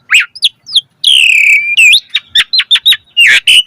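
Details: Asian pied starling in a full-variation 'mompa' song meant to make other starlings sing. Rapid chirps, then a long harmonic whistle that slides down, then a string of short sharp notes and a rough buzzy ending.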